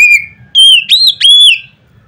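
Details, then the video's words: White-rumped shama giving a loud song meant to provoke other birds: clear piercing whistles, a level note followed by three rising-and-falling whistled phrases, very loud and close. "nada keras bikin burung Kacer lain ngeplong"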